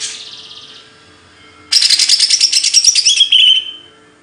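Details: Faint raspy buzz at the start, then a sudden energetic rattle of quick notes that ends in a falling whistle.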